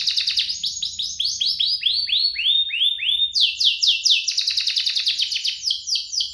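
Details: Two canaries singing as tutor song for young canaries: a long accelerating series of rising notes, then a quick switch to fast high-pitched trills that roll on steadily to the end.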